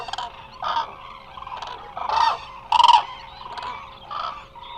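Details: A resting flock of Eurasian cranes at Israel's Hula Nature Reserve gives rough, rolling trumpet calls in short bursts, two louder notes near the middle, with a murmuring flock behind and a constant faint hum.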